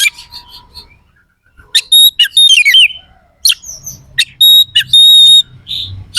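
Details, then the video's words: Oriental magpie-robin song with harsh, sharp phrases, used to provoke rival birds before contests: scattered loud bursts, pure whistled notes held steady, and a rapid descending whistled slur, separated by short pauses. "Suara kacer gacor NEMBAK ISIAN KASAR"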